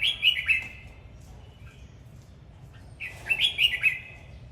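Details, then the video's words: A Red-whiskered bulbul sings while dancing: a quick warbled phrase opens, then a pause, then a longer string of bright, sliding whistles, against faint low hum. "Chào mào hót múa"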